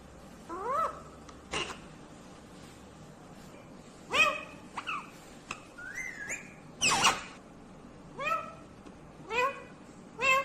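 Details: A quieter Indian ringneck green parrot talking at some distance: scattered short curved syllables, a rising whistle and a loud harsh burst, separated by gaps with steady background hiss.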